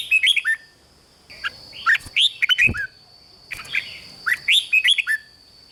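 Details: Thai red-whiskered bulbul in rik-style song, used to get other birds excited: several short, lively phrases of swooping whistled notes, broken by a couple of dull knocks, with a faint steady whine behind.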